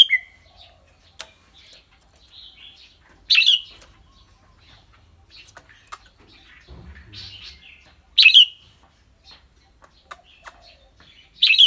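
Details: Red-whiskered bulbul in a cage, clear-voiced, both singing and rik-calling: three short, loud, bright bursts spaced several seconds apart, with quiet pauses and faint murmuring between.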